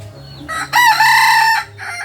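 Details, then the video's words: Kukuak Balenggek chicken, a native rooster from Solok, West Sumatra, in the jalak style: a loud, harmonic crow that rises then holds steady for about a second before a softer tail, with faint background hum. "Ayam kukuak balenggek.. pembuluan jalak.. ayam Asli solok sumbar."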